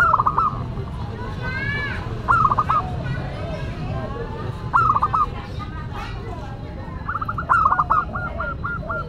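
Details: Zebra dove of a local line with a classic, unique song, used as a lure and master bird: loud phrases of clipped cooing notes about every two and a half seconds, the last running into a long even series, amid voices.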